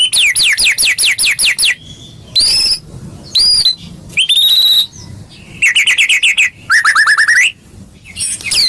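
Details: White-rumped shama song used as a lure recording to get kept birds singing: fast runs of repeated descending notes, then varied high whistled phrases and rising-falling trills in separate bursts with short pauses.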